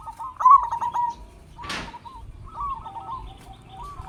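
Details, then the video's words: Captive local zebra dove song used as a lure for other doves: a rolling burst of coos, a brief noisy rustle, then softer trilled cooing in the background. "Perkutut Lokal Gacor Suara Besar Pancingan Burung Perkutut Agar Cepat Bunyi"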